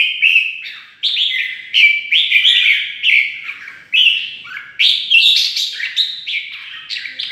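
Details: A red-whiskered bulbul sings a fast, unbroken run of bubbly, liquid phrases, each note quickly rising or falling in pitch, played to stir bulbuls into fighting; no other sounds heard.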